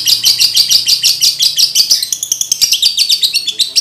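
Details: Male lovebird in breeding condition, recorded to train other males at home: evenly spaced shrill chirps at first, breaking into faster, scratchier high chatter in the second half.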